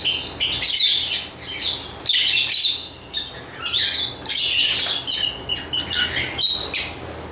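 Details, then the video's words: Lovebird chirping in loud, rasping bursts of high squeaks and chatter, pausing briefly between clusters roughly every second or two. "Lovebird Chirping Sounds"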